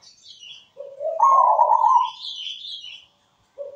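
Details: Melodious zebra dove song with a good rhythm. Faint high chirps are followed by a loud, purring, rising coo phrase lasting nearly a second, and another phrase begins at the end.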